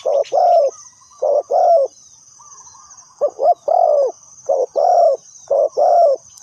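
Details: Spotted dove used as a lure bird for trapping, giving mellow low coos in rhythmic phrases: a quick double note followed by a longer drawn-out coo, repeated four times, with a steady high insect-like hiss throughout.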